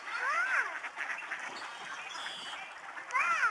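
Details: Snow geese swirling down from the sky in huge flocks at the George C. Reifel Migratory Bird Sanctuary, Delta, BC, on 24 March 2011. Loud nasal honks with stacked harmonics open and close a stretch of lower flock chatter.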